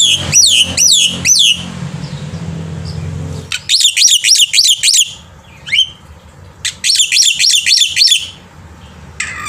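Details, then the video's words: Black-winged myna in lively morning song, used to tutor young birds to sing: three dense bursts of rapid, harsh, downward-slurred whistles, roughly three to four notes a second, separated by short pauses and a few single chirps. "jalak putih gacor pagi hari untuk masteran burung jalak muda"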